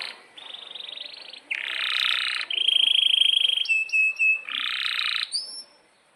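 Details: Canary giving a long, energetic rolling song: a series of buzzy trills at different pitches, a bright steady whistle, short repeated whistled notes, and another buzzy phrase ending in a rising note.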